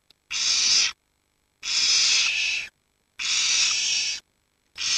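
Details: Barn owl nestlings between 7 and 19 days old, left alone while the parents hunt and huddling for warmth; a steady series of drawn-out snoring hisses, roughly one every second and a half.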